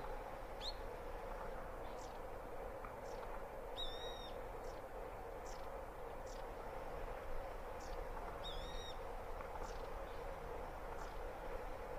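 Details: A fluffy white-headed long-tailed tit very close by gives thin, high calls: short sharp notes and two brief rippling trills, over steady wind-like rushing and a low rumble.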